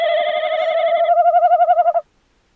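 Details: Tawny owl recorded 11 January 2026, a loud two-second tremulous hoot whose wavering pulses grow more distinct before it stops sharply, then silence.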